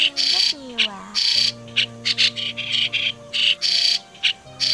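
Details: White-cheeked starling, a migratory starling, in a trapping lure from 2020: harsh chattering bursts and brief rasps, with a descending whistled glide near the start and deep droning tones behind.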